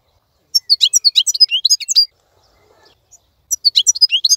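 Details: Khalawi European goldfinch keeping up its lively song while other birds moult quietly; two quick bursts of high liquid twittering notes separated by a second of near silence.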